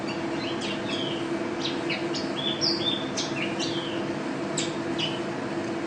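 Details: Mountain white-eye, a national first-place champion contest bird, singing in a lively gacor manner with teler and ropel styles: scattered high chirps and short down-slurred whistles over a steady low hum.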